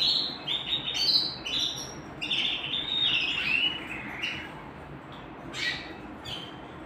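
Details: Canary at home singing quietly: loose chirps and short warbled phrases, with gaps growing longer toward the end.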